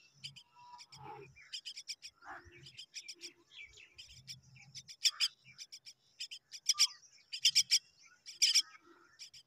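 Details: Hungry common myna chicks waiting for their mother: repeated harsh, buzzy begging notes in quick bursts of three or four, growing louder toward the end, with low rumbling thuds in the background.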